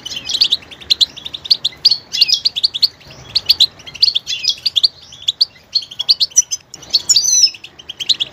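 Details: Goldfinch showing great diversity in its singing: a rapid stream of tinkling chirps, slurred whistles and twitters, ending in a rising, buzzy flourish.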